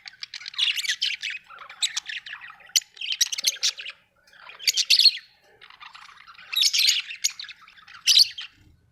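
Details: Home-kept budgerigars chirp and warble in clustered bursts about every second or two, bright scratchy notes with short pauses between phrases.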